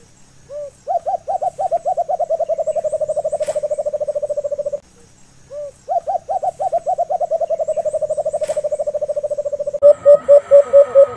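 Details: Brown dove (alimokon) call, used by hunters to draw doves closer. Two long runs of rapid, low, hollow hooting notes at an even pitch, each lasting about four seconds after a lone opening note. Louder, harsher pulsed notes close the recording.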